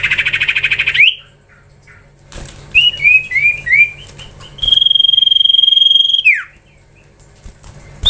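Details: Common iora song, chattering variation: a loud buzzing trill opens, then a run of short curling whistles and a long, steady held whistle that drops sharply at the end, with a faint low hum.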